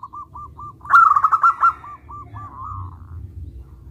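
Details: Loud song of a local zebra dove: a few evenly spaced soft coos, then a quick bubbling trill of throaty notes, trailing off into a slower series of hooked coos.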